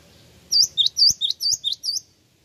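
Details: Rapid series of seven bright, high chirps, each a quick upward flick, from a Java sparrow, a lure call that draws replies from other birds.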